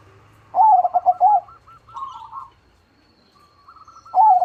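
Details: Zebra dove of crossbred stock singing loudly: a rapid stuttering series of mellow coos at the start, a softer rolling answer from another dove, then the loud phrase begins again at the end.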